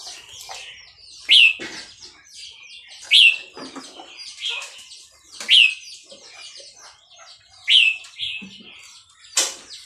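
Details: Singing red-whiskered bulbul of Burmese type, Dan Singkhon, giving a string of sharp, rising whistled phrases roughly every two seconds, separated by quieter chirps and clicks.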